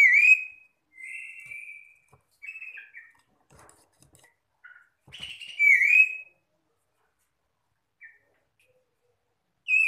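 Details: Oriental magpie-robin answering other magpie-robins: loud slurred whistled phrases with bright overtones, given in short bursts at about 0, 1, 2.5 and 5.5 seconds, with faint soft notes in between, then another phrase at the end.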